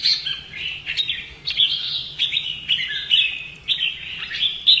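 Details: Red-whiskered bulbul in fighting-song training: a steady run of short, sliding whistled phrases, each starting with a crisp attack and falling away, following one another closely.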